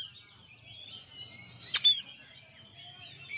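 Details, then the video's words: Champion oriental magpie-robin song used as a master recording: soft, continuous warbling and sliding high whistles, broken near the middle by a sudden loud burst of sharp, rapid high notes, then quiet warbling again and a final sharp note. "masteran suara kacer juara"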